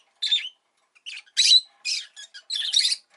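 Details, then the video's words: Caged rosy-faced lovebird giving scattered shrill, buzzy squawks and chirps, about one per second with uneven gaps, in a quiet room. "Lovebird Chirping Sounds"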